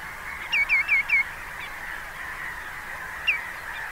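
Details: Common greenshank calling: a quick run of four loud, ringing whistled notes, each sliding downward, followed by a faint note and a lone repeat about two seconds later, over a steady murmur of distant flock chatter.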